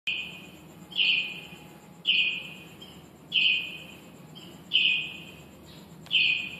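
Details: Finches nesting inside a shop, recorded on an HTC Evo 3D phone: bright, flat chirps repeated roughly once a second, five in all, each trailing an echoing tail against a steady low hum.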